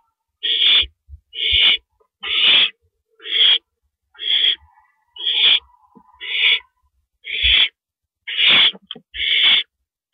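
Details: Owls at the nest at 2:52 AM on April 15, 2012, while a rabbit is brought in, repeating breathy hissing screeches roughly once per second in a steady series of about ten, with occasional soft thumps.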